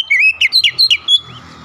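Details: Oriental magpie-robin lure song to spur other magpie-robins into song; a short run of five or six quick warbled whistles ending in a thin high note.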